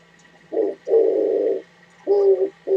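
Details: Low, husky cooing from an Oriental turtle dove, recorded 27 January 2017: a short note, a long drawn-out coo, then two shorter coos, all deep and breathy over a quiet constant hum.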